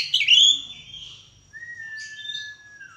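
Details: White-rumped shama, kept birds being paired for mating, singing a loud high warble followed by a long steady whistled note held near two seconds, then soft high chips.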